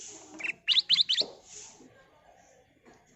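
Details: ['Brief lure song from a kutilang emas bulbul: a quick series of four bright, ringing chirped notes, against light background noise.']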